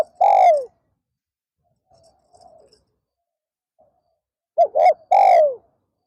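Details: Afternoon decoy session with a spotted dove luring wild birds. A long falling coo, then faint distant murmuring coos, then a close phrase of two quick notes and another long downward coo.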